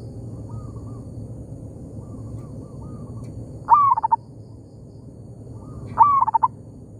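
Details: Local zebra dove exchanging calls with a decoy bird among oil palms: soft distant coo sequences first, then two loud stuttering phrases about two seconds apart, each opening with a rising note, over steady low background rumble.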